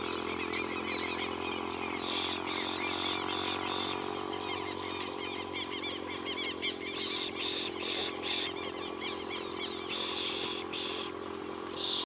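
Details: A straight-billed reedhaunter in marshland near Punta del Este, Uruguay, gives harsh, scratchy notes in quick bursts of four or five, about three per second, over a dense chorus of other birds and a low engine hum.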